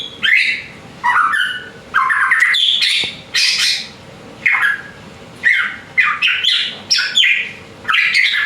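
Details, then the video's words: Juvenile male white-rumped shama already in full song: rapid varied whistles, chirps and harsher notes in quick successive phrases, loud and near-continuous over a steady background hum. "MASIH TROTOL SUDAH GACOR"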